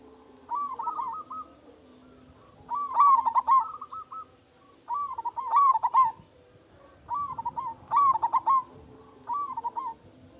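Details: Lure recording of a local zebra dove with a big voice: six rippling cooing phrases over ten seconds, about every two seconds, louder harmonically rich bursts alternating with softer answering phrases.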